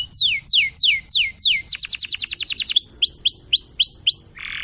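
A canary sings high, bright phrases: several long falling whistles, a quick rolling trill, then rising upslurred notes and a short buzz at the end.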